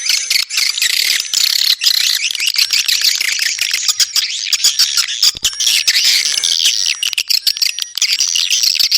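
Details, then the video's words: Swiftlets twittering nonstop, dense overlapping chirps and rasping notes forming an almost unbroken wash, with thin sustained high whistles in the background. "suara walet handal"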